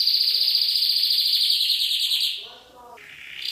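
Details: Canary singing, recorded for Indonesian songbird training with soothing trickling water added. A fast, even, high trill runs for over two seconds, then breaks off into softer, lower sounds before resuming at the end.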